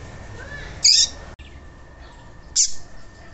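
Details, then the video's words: Double-collared seedeater giving two short, bright, high chirped phrases about a second and a half apart after a faint rising whistle, over a steady low hum; the audio is meant to stimulate seedeaters to sing. "ESQUENTAR COLEIRO TUI TUI"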